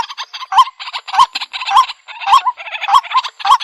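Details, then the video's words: A waterhen call used for bird trapping: a loud, harsh, croaking chatter with a sharper rising note about every half second, in a fast, uneven series. "Jal Murgi Ki Sound |Jal Murgi Call Voice | Ban Murgi Ki Awaaz"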